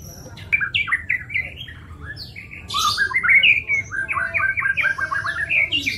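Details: White-rumped shama song recorded to train songbirds, a string of short bouncing whistled notes that grows busier and louder after the halfway point, over low background hum.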